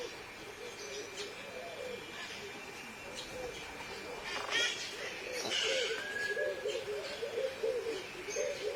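Purple-crested turaco giving a low, hoarse run of repeated notes that swell louder partway through, with thin chirps and whistles of other birds above.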